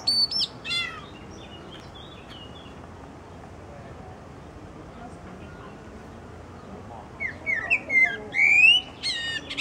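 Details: A thrush perched on a branch sings bright, varied whistled phrases mixed with sharp chattering notes, in two bursts at the start and end with a quiet pause between.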